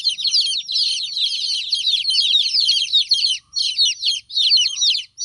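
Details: Baby chickens crying for their missing mother hen: loud, high, descending peeps pouring out in a dense overlapping chorus, broken by two very short pauses near the end.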